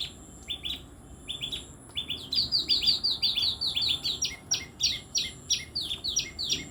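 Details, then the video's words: Tailorbird in an energetic chirping run: rapid, loud, sharp notes, nearly three per second, starting in small clusters and building into a steady insistent series of bright chips. "Orthotomus( tailor birds) : enjoy the sweet chirping sound of these birds"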